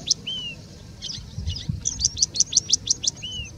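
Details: Singing bush lark in India mimicking other birds: a high chip and descending whistle, soft twitters, then a rapid even string of piercing chips ending in another falling whistle.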